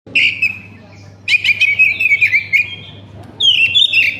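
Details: Oriental magpie-robin used as a lure to set other magpie-robins singing: loud whistled phrases with rapid warbling trills, broken by short pauses, over a steady low hum.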